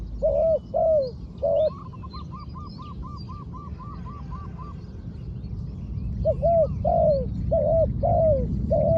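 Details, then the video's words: Trained spotted dove used as a ground decoy, cooing: short groups of low, bent, rolling coos at the start and again near the end, with a quick run of higher short notes between, over steady low rumble. "#เสียงนกเขาใหญ่ #นกเขาใหญ่ต่อดิน"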